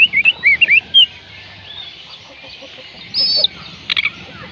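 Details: Oriental magpie-robin song, used to prompt a reluctant bird to sing: a quick cluster of looping whistled notes at the start, then quiet, a buzzy note and a few sharp chips.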